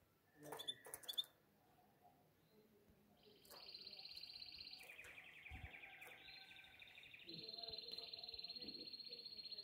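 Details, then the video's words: Male canary singing in breeding condition to call a female: after a faint opening, sustained rolling trills set in, shifting pitch between higher and lower tours, with a quiet hiss behind. "CANZONE DEI CANARINI"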